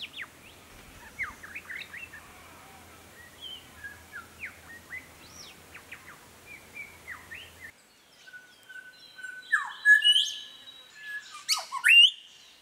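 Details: Grey Shrike-thrush, subspecies harmonica, recorded in the Capertee Valley, New South Wales, among woodland and grassy areas; faint scattered chirps give way abruptly to louder clear whistles and sharp upsweeping notes.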